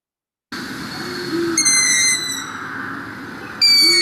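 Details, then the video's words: Long-eared Owl call from Iowa: thin, high, nasal squeaks like air or helium carefully let out of a balloon, two in four seconds, over a couple of faint low hoots, which the species also gives. "cool there's our long eared owls call"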